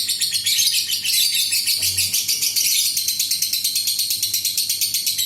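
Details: Long ngekek trill from an adult lovebird, used as a lure for other lovebirds. A continuous, high, buzzy chatter of quick pulses beats evenly with a brief low thump partway through.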